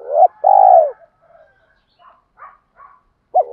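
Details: Spotted dove coo meant to stir training birds into cooing: a phrase ends in a long, steady, low coo. Soft scattered chirps follow before the next phrase starts.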